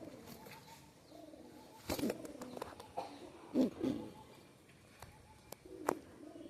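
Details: Pakistani high-flyer pigeon, a red-necked youngster, giving low, soft coos in short bursts, mixed with clicks and handling noises.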